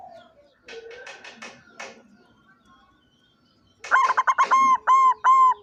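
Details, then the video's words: White striped (putih lurik) zebra dove, recorded 16 September 2023. Scattered clicks and rustling come first, then a loud cooing phrase: rapid short notes followed by several long even held tones. "perkutut putih lurik suara nya bikin nagih"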